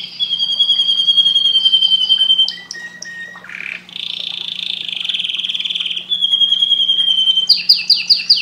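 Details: Canary song of long, steady high trills broken by a rough buzzy burst and short notes, ending in quick descending chirps.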